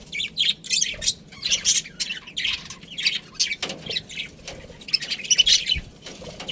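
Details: Budgies kept as pets chirp in bursts of high, raspy warbling notes, broken by brief quiet gaps and a few sharp clicks.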